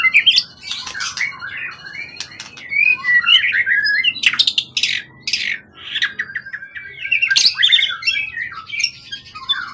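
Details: Calm, long-tended competition bird from the forest, tail over 20 cm, pours out loud, fast bursts of harsh crackling notes mixed with twisting whistles and chips, pausing briefly between outbursts.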